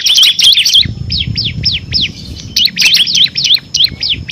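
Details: Bar-winged prinia (ciblek kristal) in energetic full song, a recording for training competition birds: dense bursts of sharp, high, down-slurred chirps in quick series, pausing briefly between phrases, over low background noise.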